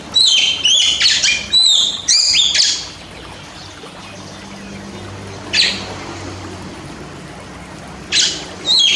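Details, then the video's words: Oriental magpie-robin training song for reluctant captive singers: a rapid run of bright whistled and buzzy notes for about three seconds, then steady hiss with two brief loud bursts later. "TERAPI Masteran Dasar Kacer Untuk Burung Yang Susah Bunyi Dan Suka Nangkur"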